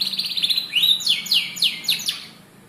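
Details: Young canary singing to trigger chirping: quick rattling trill followed by a series of bright down-slurred whistled notes, fading at the end over a faint low hum.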